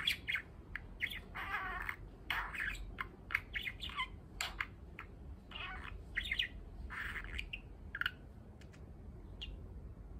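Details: Male budgerigar, eight months old, kept as a pet, practising speech. Chirps and mixes learned words into its chatter. Bursts of high, scratchy warbling and chirps come in short clusters throughout, with brief pauses between them.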